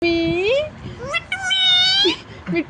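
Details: Pet Indian parrot talking, mimicking the words "mummy" and "Mithu": a run of three or four nasal, harmonic-rich spoken syllables that swoop upward, then a long steady word, closing with short clipped fragments.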